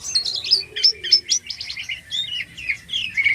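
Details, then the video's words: Actively singing jalak kapas starling, gacor isian style, delivering a fast, high-pitched chatter of squeaky twittering notes that ends in a thin drawn whistle. "Suara Burung Jalak Kapas Gacor ISIAN"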